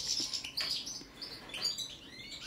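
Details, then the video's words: ['European goldfinch of the balcanica race singing: liquid chirps and a high ringing note, then softer twitters and a rising slurred whistle.'] "Kontrola pesme, štiglić, češljugar, grdelin n, carduelis balcanica"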